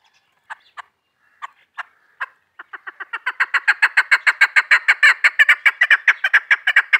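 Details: Female chukar partridge, hunter's call: a few scattered clucks at first, then the notes speed up into a dense, rhythmic chuk-chuk series that grows louder and keeps going to the end.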